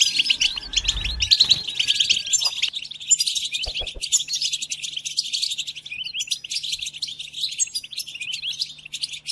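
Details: European goldfinch singing continuously for song training of captive goldfinches during moult: high, rapid chirping and tinkling trills, with a few soft low thumps in the first seconds.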